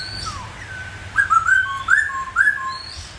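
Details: Song of a masked laughingthrush in bắt cô chói cột style, with slurred whistles followed by three bright phrases of paired rising and falling notes, over faint background hum.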